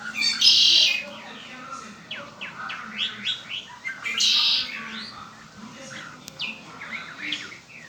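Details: Red-winged blackbird kept by its owner, giving a rasping buzzy trill, then a busy run of quick upslurred chirps before a second buzzy burst and more scattered notes.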